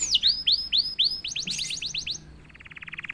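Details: Canary that sings straight away when prompted ('gacor'): a string of curved, sliding whistles speeding up into a fast chatter, ending in a soft buzzy trill.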